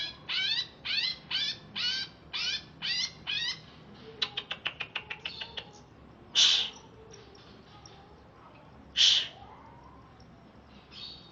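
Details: Greater green leafbird, wild origin from Alas Purwo, Banyuwangi, kept caged and just bathed, repeats seven buzzy swept notes. A burst of rapid clicks follows, then two loud harsh rasps a few seconds apart.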